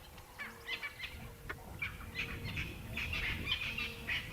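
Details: On an evening safari drive while tracking a leopard, a bird gives sharp, scratchy alarm calls, repeated irregularly several times a second, over a low engine rumble and faint hum.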